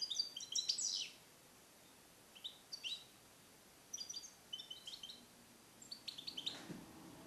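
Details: European goldfinch male, captive-bred in 2021 and trained in Neapolitan passata song, kept in a small cage for recording. Scattered short high twittering phrases over a noisy hiss, with one sharp click near the end.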